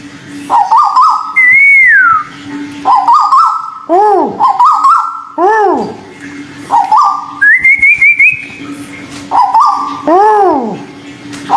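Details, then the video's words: White-billed bulbul, from a mix of local and Malaysian birds. Loud, clear whistled phrases: flat notes with harmonics, downward-arching slurs and rising glides, in bursts about every second or two. A steady low hum runs underneath. "terapi burung tuwu paruh putih lokal dan malaysia"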